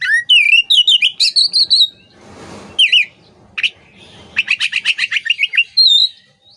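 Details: Oriental magpie-robin (kacer) singing for songbird training: fast warbled rising and falling whistles and chips, a brief burst of rustling noise, then a quick trill of repeated sharp notes ending in a whistled phrase.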